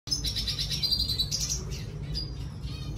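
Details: Red siskin singing: a fast run of high, thin twittering notes with buzzy trills, continuous for about three seconds over a steady low hum.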